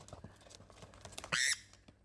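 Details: A pet sun conure, kept nearly three months, gives one loud, harsh, grating squawk lasting about a quarter second after coming out of its box, against quiet room sounds and faint voices.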